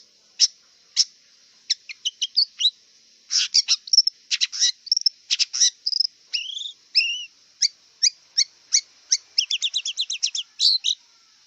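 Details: Long-tailed shrike in the wild, singing a long varied sequence: scattered sharp chips, harsh bursts, repeated falling whistles, and a fast trill of whistled notes near the end, over a constant high hiss.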